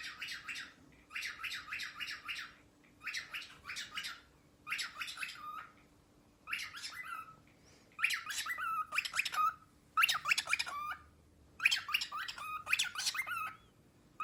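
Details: Cockatiel (Nymphicus hollandicus), song.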